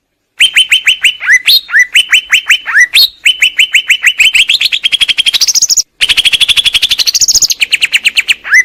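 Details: Greater green leafbird song of steady runs of sharp repeated chirps on one pitch, punctuated by short falling notes and rising whistled sweeps, with a brief gap midway.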